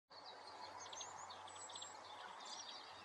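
European greenfinch twittering: quick, high chirps and short trills come in bursts over a steady hiss of background noise.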